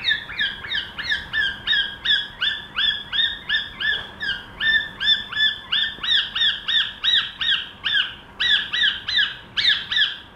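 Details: Cockatiel trying to sing: a rapid, steady series of clear, harmonic chirps with downward-bent notes, repeated about three times per second for the whole stretch, with little other sound behind.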